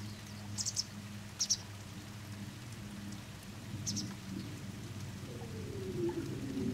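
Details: A juvenile pied wagtail sits in a garden at Langholm and gives three thin, high chirps spaced a second or two apart, over a steady low hum and a rain-like hiss; the owner thinks it is begging for food.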